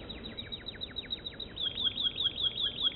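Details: Quiet American Singer canary song made of repeated downward-sweeping chips, about five per second, becoming sharper and clearer toward the end.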